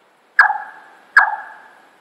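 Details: Large-tailed Nightjar song in Singapore, a simple territorial "chong chong" song: two loud, hollow 'chonk' notes, each struck sharply and ringing away, under a second apart against a quiet background.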